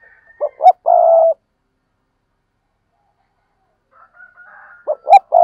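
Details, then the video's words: Spotted dove calling with two quick hollow notes followed by a longer sustained coo, then a silent pause before softer coos and another pair of short notes begin the next phrase. "cu gáy"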